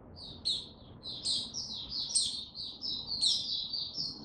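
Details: Male mata puteh (white-eye) building up before fully opening his song, March 2022; a dense, continuous run of high, squeaky warbled notes with frequent piercing accents, low hum beneath.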